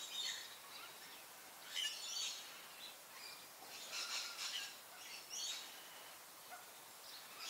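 Fawn-breasted bowerbird giving harsh, scratchy, hissing calls in short bursts a second or two apart, over a steady background hiss.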